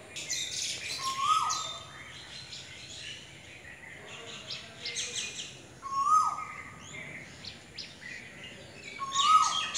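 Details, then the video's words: Asian koel (kokil) song: a short rising whistle repeated roughly every four seconds, fairly soft. Many higher chirping and twittering birds call throughout, with rural outdoor ambience. "Song of Asian Koel / Kokil"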